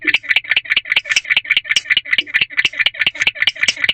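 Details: Male barn owl in a nest box after midnight, 3 May 2023, chirping continuously; short gritty bursts come quickly, about two or three each second, some notes sharper and higher, set against a quiet background.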